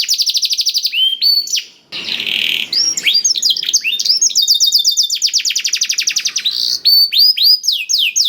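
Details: Canary taught blackthroat song, used to make canaries start singing: fast high trill, a harsh buzzy noisy burst near the second second, then rolling sweeping phrases and a long even trill of rapid repeated notes.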